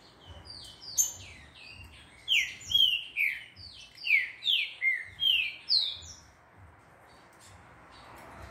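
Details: Green-winged saltator in training at a breeder sings a run of about eight rapid, slurred whistled notes, roughly two per second, then falls silent with faint hum behind.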